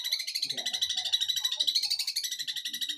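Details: An eight-month-old long-tailed shrike from Jember, East Java, imitating other birds: a continuous rapid buzzy rattle, many pulses per second, steady and unbroken throughout.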